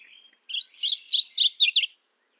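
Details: Mourning warbler calling: a rich, chirping phrase of rapid, slurred notes repeated for about one and a half seconds, following a faint thin whistle.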